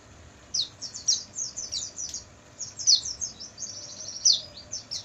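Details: Oriental white-eye night song used as training material for caged birds: rapid series of high, thin, descending twittering notes in bursts, with short pauses between phrases.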